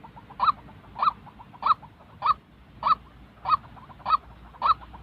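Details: A white-breasted waterhen's call, played to train decoy birds for trapping: eight loud, clipped, nasal notes in a steady beat about every 0.6 seconds.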